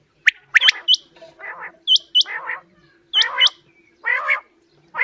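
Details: Quail calling as a hunting lure, giving short high whistled notes with a hooked tail in pairs, interleaved with rough nasal bursts roughly every second; a faint steady hum underneath.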